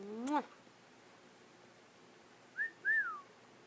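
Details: Pet African grey parrot learning to talk, chatting at home: a short harsh rising squawk, a pause of about two seconds, then two quick whistled notes that rise and fall in a soft arch.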